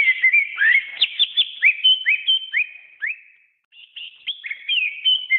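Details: Song of a greater green leafbird recorded for training: brisk upslurred whistles repeated several times a second with sharp accents, a short pause, then more level whistled phrases.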